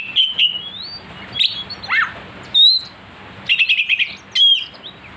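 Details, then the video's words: Oriental magpie-robin song used to stir a kacer to sing aggressively: bright whistles, a twisting descending slur, a clean high note, then a short rapid trilled burst. "pancingan Kacer agar emosi"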